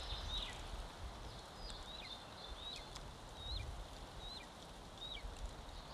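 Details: Estonian golden eagle chick, one month old, eating at the nest on 25 May 2022, recorded by live cam: repeated high, downward-sliding whistles about every 0.7 seconds over low rumbling and thumping handling noise.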